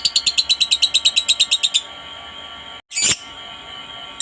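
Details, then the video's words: Lovebird used to prompt other lovebirds into song: a quick regular series of about a dozen bright high chirps, then a pause broken by one harsh burst and a final chirp. "suara Lovebird yang satu ini sangat jago memancing Lovebird lain agar rajin bunyi"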